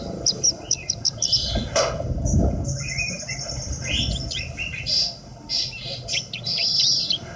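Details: Horsfield's bush lark, a kept bird, singing varied high chirps, trills and short whistled notes in bursts with pauses, over a low rumbling background and a loud thump partway through.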